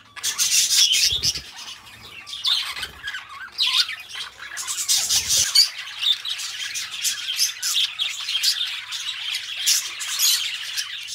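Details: Two pet budgerigars kept together chatter continuously in dense, scratchy, high-pitched warbling, with squawks and rapid chirps overlapping; a few dull low thumps sound around the first few seconds.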